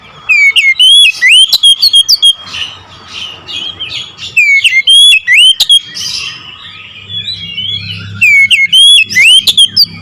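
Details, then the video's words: Kacer, the oriental magpie-robin, delivers 'nembak ngerol' song: repeated bursts of piercing, sliding whistles and chattering notes, separated by brief quieter gaps with a soft low hum beneath. "KICAUN KACER NEMBAK NGEROOL"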